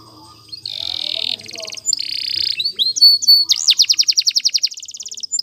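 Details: Canary singing a training song: buzzy sustained notes, a bright whistle, then fast rolling trills of sweeping notes that speed into a tight repeated phrase.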